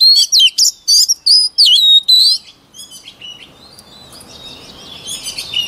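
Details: White-rumped shama song for voice training: a fast, loud run of chirped and whistled notes for two seconds, then quieter, scattered twitters over a light hissing background.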